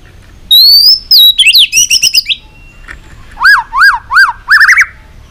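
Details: Fired-up white-rumped shama singing competitively: a long clear whistle, a quick jumbled warble, then a pause before four loud rising-and-falling whistled notes and a closing trill.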